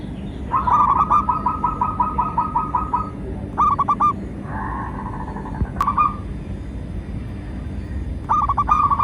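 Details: Local zebra dove song meant as a lure for captive and wild doves: long run of rapid, evenly pulsed whistled coos, then shorter bubbling bursts, a sharp click, and a faint second dove between phrases.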